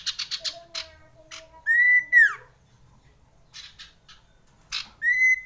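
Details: Common iora song, played to raise breeding urge in kept birds: dry clicks and buzzy chatter, then long drawn whistles near one pitch that bend sharply downward at the end, the last one rising in again.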